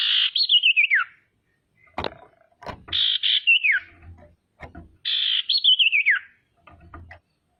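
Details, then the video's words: A female common iora, calling to make rivals call quickly and grow agitated, gives three similar phrases: a harsh buzzy start, then a wavering trill sweeping steeply down, with clicks between. "SIRTU BETINA GACOR PANCINGAN PALING AMPUH BIKIN CEPAT BUNYI DAN EMOSI SIRTU LAIN"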